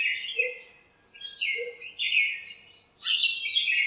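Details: Backyard birds gathered in a lemon tree on a sunny morning, chirping while they squabble; high, bright notes tumble into rapid twittering phrases, with two soft low notes near the start.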